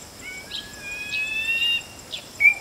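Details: White-bellied drongo calling: a long, thin, level whistle and a sharp bright upslurred note near the end, with soft scratchy chips scattered through and a faint steady high hiss.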